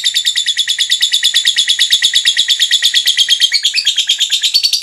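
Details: Lovebird giving a long ngekek trill to spur other lovebirds to sing: fast, steady stream of high buzzy pulses, about three per second, unbroken throughout.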